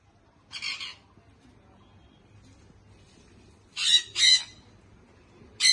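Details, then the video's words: Baby sun conure parrot giving harsh, raspy squawks: one burst early, then two loud grating squawks in quick succession and another starting at the end, with a faint low hum underneath. "sun conure baby parrot"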